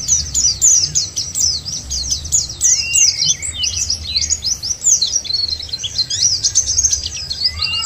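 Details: White-eye song for luring white-eyes into singing: energetic, high-pitched jumbled twittering with quick slurred chirps and brief dips in pitch, running without pause.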